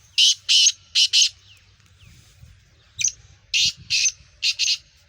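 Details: Two full phrases from a Sindhi black francolin (kala teetar), Gangas Sheedi cross with a nasal speeder voice: each is a run of four to five loud harsh rasping notes, separated by a short quiet gap with one squeaky note.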